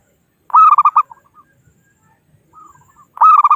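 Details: Wild local zebra dove calling rivals, used for trapping as a lure; two loud quick-cooing phrases framing fainter answering coo notes in the gap.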